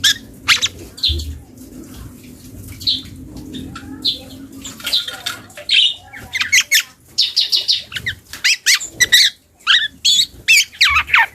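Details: Young black-and-yellow oriole learning to sing, uttering scattered short chirps and squeaky notes, sparse at first then denser chattering bursts toward the end, with a faint low hum underneath.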